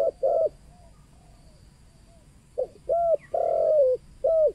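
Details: Local 'kuk 2' spotted dove cooing as a lure for wild birds: two quick arched coos, a long gap with faint murmurs, then a pair of short coos, a long sliding coo and a final short note.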